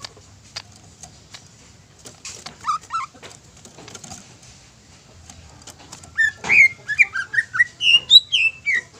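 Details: Greater green leafbird used as a lure to provoke other birds into singing; after quiet clicks, loud whistled notes begin near six seconds, rapid varied slurred phrases rising and falling, with a low hum beneath.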